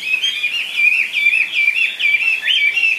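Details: Caged Chinese hwamei singing loud, clear whistled phrases that rise and fall in quick wavy loops, repeated rapidly over about three seconds with no other sounds.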